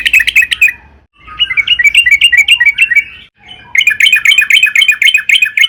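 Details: Trucukan (yellow-vented bulbul) in long, excited lure song: three bursts of rapid, bright, evenly paced chirps separated by brief gaps.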